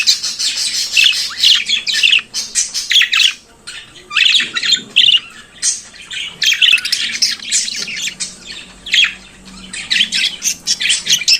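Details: Budgerigar singing in the morning, a long run of chattering warbles, clicks and scratchy squawks in rapid bursts, broken by a few short pauses.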